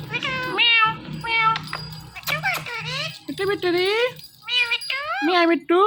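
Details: Ringneck parrot talking indoors in a long run of rapid, nasal, harmonic syllables with sliding pitch. The bursts seem to repeat 'mittu mittu re' and 'meow', with short pauses between phrases.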